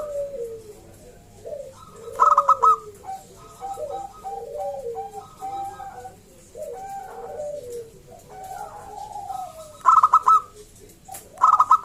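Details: Zebra dove song from a local wild bird, used to get other doves singing: repeated phrases of quick chopped notes with descending coos between them, several bursts spread through the passage, quiet hum underneath.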